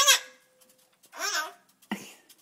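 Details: A pet Hahn's macaw (red-shouldered macaw) perched in a kitchen cupboard gives a harsh, high squawk, then babbling, voice-like chatter and a final scratchy burst, in a small, echoey space.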